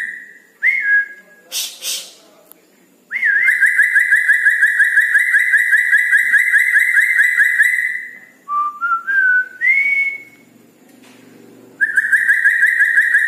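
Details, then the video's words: Red-breasted parakeet singing busily at night: short rising whistles, then a long, high trilled whistle lasting about five seconds, some brief lower whistled notes, and a final trilled whistle, with faint background murmur. "Nuri Paltem Gacor diMalam Hari"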